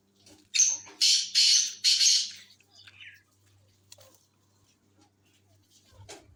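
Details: Black francolin of the Sindhi tetar type, a bird for sale, calling with one short rasping note followed by two longer harsh buzzy notes, then silence with faint clicks and a low hum.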